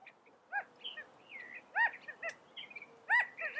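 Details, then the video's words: California quail making scattered arched, nasal notes with strong harmonics, spaced about a second apart, mixed with short slurred whistles against a soft hiss. "California Quail Bird Sound, Bird Song, Bird Call, Bird Calling, Chirps"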